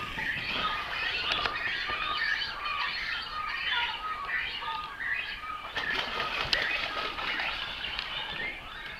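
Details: Great cormorant chicks in a tree-nesting breeding colony at Naardermeer nature reserve, Het Gooi, Netherlands, fed by both parents through regurgitation; a dense, continuous chorus of many high squealing, chittering calls overlapping throughout, with occasional wingbeat-like rustles.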